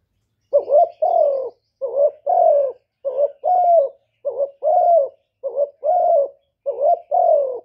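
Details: Spotted dove delivers six rhythmic coo phrases, each a short trembling note plus a longer falling one, evenly spaced about every second with no background noise.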